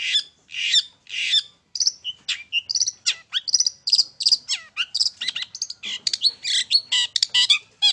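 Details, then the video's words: Long-tailed shrike performing from a single perch, played to make other birds sing: three grating calls lead into a fast, varied stream of high chirps, whistles and harsh notes. "PANCINGAN TERBAIK!!! CENDET MAIN SATU TITIK"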